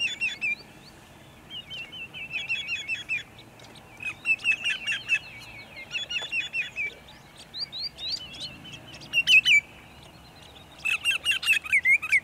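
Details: Sunset chorus of sandpipers at Montezuma, New York, 6 May 2019: rapid series of sharp, high whistled notes repeated in rhythmic runs, with brief pauses between bursts and several overlapping callers, over a soft low hum.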